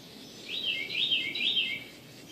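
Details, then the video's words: Morning birdsong in AE: a clear phrase of three or four looping whistled notes, sliding up and down in a wavy pattern over about one second, with faint background hiss. "Morning Bird Songs of AE"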